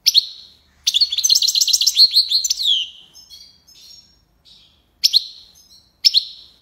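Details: European goldfinch singing tiwawati and lipassade phrases: a loud sharp chip, a two-second rush of tinkling, buzzy twitters that fades into soft thin notes, then two more spaced single chips.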